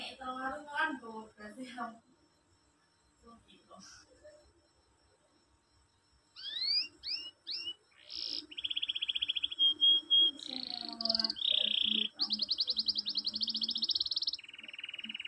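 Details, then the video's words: Canary tutor song meant to make silent canaries reply: a few low harmonic sounds, a quiet pause, then rising swept notes leading into long buzzy trills and rolling high chattering phrases, each held a second or two. "mesteran kenari males bunyi di jamin langsung nyaut"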